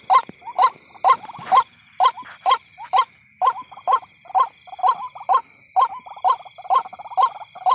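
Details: White-breasted waterhen calling at night near a corn field during bird hunting: a steady run of short, rising, croaking notes about twice a second, with one louder harsh burst early on and constant high-pitched insect-like tones behind.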